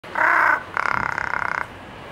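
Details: Large-billed crow, also called jungle crow, at Ueno Zoological Gardens in Japan, calling in a variety of voices: a single harsh caw, then a quick stuttering rattle of about twenty fast pulses.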